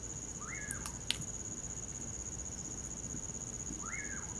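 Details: In winter darkness by a campfire, a common pauraque gives two rising, drawn-out falling whistles about three seconds apart, while the fire crackles sharply and crickets drone steadily.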